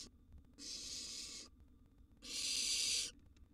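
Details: Two drawn-out rasping hisses, each nearly a second long, from a wild barn owl nestling in its nest box as a large gerbil is brought for a meal.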